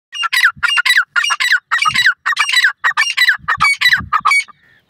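A male painted francolin gives a loud series of harsh, grating notes, about two per second, each with a rasping, slurred ring. Faint low thumps sit beneath.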